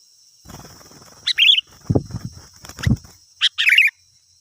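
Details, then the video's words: Sooty-headed bulbul song used to lure wild birds: two chip-and-warble phrases framing low thuds and rustling bumps, with a steady high-pitched hum throughout. "Suara Burung Kutilang Gacor"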